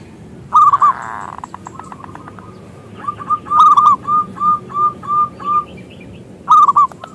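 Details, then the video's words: Local Indonesian zebra dove (perkutut lokal) singing as a lure to draw other doves into song: loud, bubbly cooing phrases, then a string of short rising whistled coos about twice a second, ending with another rolling burst. "Perkutut Lokal Gacor suara Besar pancingan perkutut"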